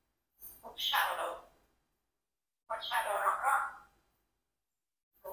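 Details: Indoor pet Congo African grey parrot, four years old, speaking in human-like phrases as if asking questions: two voice-like utterances over a second long with a quiet gap between, a third beginning at the end.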